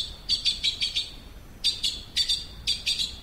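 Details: Azure-winged magpie chattering in quick bursts of short, scratchy clicking notes, with four to five notes per burst and brief pauses between groups.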